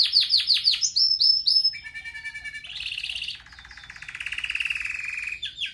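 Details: A Red Factor Belgian canary sings a rapid, varied training song: bright repeated chirps and trills give way to long buzzy rolling tours, high-pitched and continuous.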